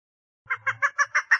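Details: Six quick, hoarse chuck notes in about a second from a female chukar partridge calling for mating, with a faint low hum under the first notes.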